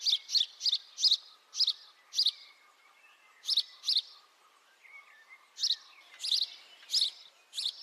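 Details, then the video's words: House sparrow calls recorded with a high-definition microphone: a rapid run of bright chirps, then paired chirps, a short pause with faint softer twitters, and another burst of chirping, over a low hum. "House sparrow call, beautiful house sparrow sound [High definition sparrow chirping]"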